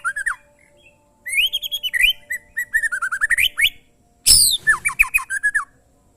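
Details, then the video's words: Short Oriental magpie-robin song recorded for training: loud whistled slurs followed by rapid runs of clear descending notes, a brief harsh burst, then more sweet whistled phrases. "suara burung murai"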